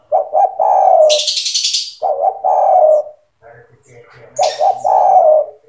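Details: Vigorously singing spotted dove, used for training young doves: three low stuttered-then-drawn coo phrases in quick succession, with a bright hissing rattle from another bird over the first and last.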